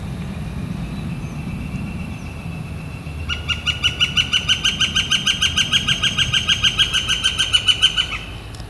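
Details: A Northern flicker calls on a warm, clear April 28, 2014 day: a loud, ringing series of about thirty quick, even wick notes lasting five seconds, over a low background rumble.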